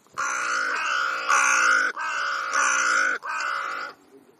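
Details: Crows in conversation give five harsh, nasal caws back to back, each about half a second long, with almost no pause between them before silence returns.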